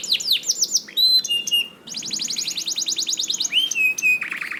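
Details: Canary singing to spur other canaries into song: quick falling whistles, a held clear note, a long rapid series of repeated sweeps, then a drawn-out twisting whistle.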